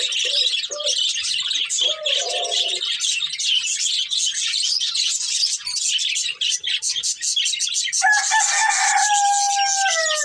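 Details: Budgerigar breeding pair, colourful birds, in loud continuous high chattering, with a few lower notes early on and a steady tonal, harmonic-rich sound joining over the last two seconds.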